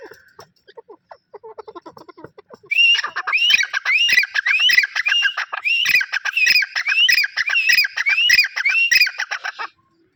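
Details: A pair of grey francolins calling: after soft, low scattered notes, a loud, harsh, repeated phrase starts and continues rhythmically, about every half second, with rising squeaky notes, for seven seconds before stopping abruptly.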